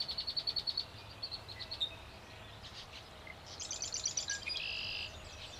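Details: A male yellow-headed blackbird gives a grating, rasping song ending in a long harsh buzz after a run of quick high ticking notes, with faint rural background noise, at Turtle River State Park, North Dakota, 26 June 2009.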